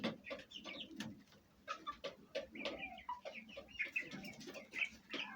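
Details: Fayumi hens and chicks kept indoors at home: soft, irregular hen clucks and bursts of high, piping chick calls with brief pauses, plus light knocks and movement noise.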